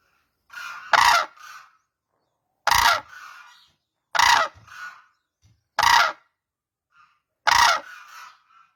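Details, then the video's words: Five loud, raucous crane honks spaced about one and a half seconds apart. Each is followed by a softer, descending, rasping tail. "crane birds sound"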